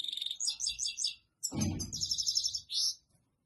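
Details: European goldfinch singing to a female for mating: rapid high twittering phrases and buzzy trills, a short sparkling burst, a brief pause, then a longer bright trill and a final high note, with a low thump mid-way.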